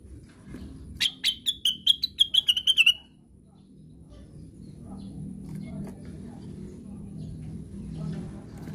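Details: Plaintive cuckoo delivers its 'sleep-talking' (ngigau) phrase: around ten whistled notes in a steady run, descending step by step over two seconds, then only low ambient noise.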